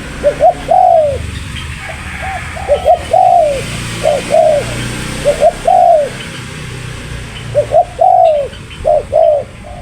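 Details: Spotted dove, called tekukur, cooing steadily: repeated phrases of two or three short coos ending in a long falling coo, about five phrases in ten seconds, over low background noise.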